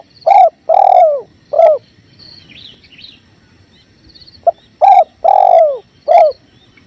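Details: Spotted dove master recording of repeated low cooing phrases: short clipped notes and drawn-out coos that fall in pitch at the end. Two full phrases are separated by a quiet gap, with gentle river flow and a faint high chirp of another bird.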